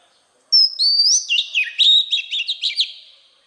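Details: Wild-voiced oriental magpie-robin song for stimulating freshly caught birds: a sharp high whistle sliding down, a sustained clear tone, then a tumbling series of rapid rising and falling warbled notes over about two seconds.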